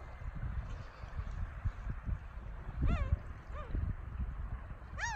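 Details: Gulls at Masuho-ga-ura beach by Togi fishing port on Japan's Noto Peninsula, 5 March 2019. Three short, sharply downslurred cries stand out above heavy low-pitched surf and wind noise.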